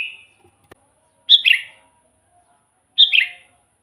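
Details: Sooty-headed bulbul singing lively, used to lure wild bulbuls for trapping: two short bubbly, slurred phrases about a second and a half apart, each a quick cluster of warbled notes after a brief opening note, with a faint steady high hiss behind.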